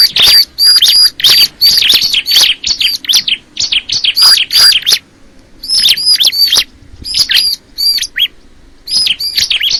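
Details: Bar-winged prinia, known locally as crystal ciblek, in a lively song of high, thin chirps and ringing whistled notes delivered in fast, uneven bursts about three per second, separated by brief silences; nothing else clearly audible.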